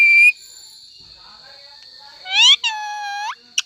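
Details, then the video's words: Pet talking parrot indoors giving a short high whistle, then a loud rising screech followed by a sustained harmonic squawk and a brief final chirp, with a steady high tone in the background. "This is my talking parrot"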